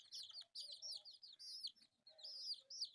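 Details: Pet chicks, four of them and colourful, chirp in loud clustered runs of piercing, down-curving peeps, separated by short gaps roughly every half second.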